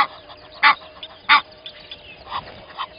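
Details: Egyptian goose pair at dawn at Gowrie dam waterhole, Djuma Game Reserve, Sabi Sand, South Africa: two loud harsh honks about two-thirds of a second apart, then softer scattered honks against a quiet background.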